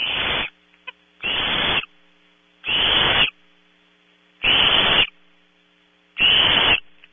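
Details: Barn owl owlets in a nest cavity at Audubon Starr Ranch, California, competing for prey around 3 am: five long, harsh hissing screeches, each about half a second, separated by pauses of roughly a second, over faint steady hum.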